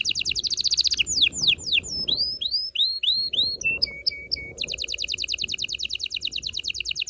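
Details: Canary singing to stimulate males and females for breeding: a quick buzzy trill, dropping chirps, a string of arched whistled notes, flat piping tones, then a long rapid rattling trill.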